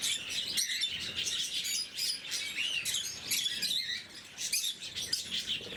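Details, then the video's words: Morning feeding of caged blue-mutation lovebirds: a steady stream of high, scratchy chirps and thin whistled squeaks from several birds, busy and unbroken. "Попуги неразлучники, утреннее кормление"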